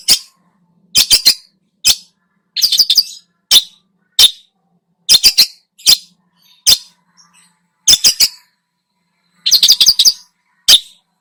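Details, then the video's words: Long-tailed shrike singing in a lure recording meant to stir other birds, a lively song full of varied phrases; short bursts of sharp, high, scratchy chirps in clusters, separated by brief silences, with a faint low hum beneath. "burung cendet gacor, full isian"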